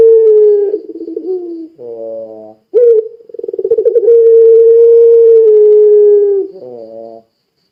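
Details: Barbary dove singing in puter pelung style to set other doves off: a falling coo with a wobbling end, a reedy buzzing note, then a sharp start, throbbing pulses and a long steady coo closing with buzzy notes.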